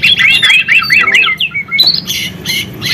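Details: Vigorously singing white-rumped shama, a recording used as a lure to stimulate other shamas: varied sweet whistles and slurred rising and falling notes, followed by sharper, harsher high phrases, with a low background hum.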